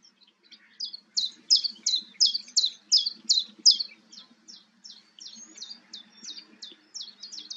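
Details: Common chiffchaff recorded 11 April 2022 at Goldcliff, Newport Wetlands: a long sequence of roughly twenty high, downward-flicking notes, loud in the middle and fading toward the end, delivered at a brisk, regular pace.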